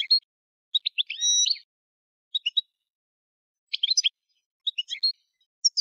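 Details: Bursts of quick goldfinch chirps and twitters, one with a brief whistled tone, spaced irregularly; quiet background.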